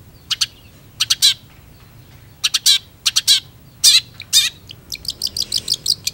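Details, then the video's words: Long-tailed shrike singing keenly: pairs and triplets of harsh, high, scratchy notes, ending in a fast run of short, bright chips. "PENTET GACOR"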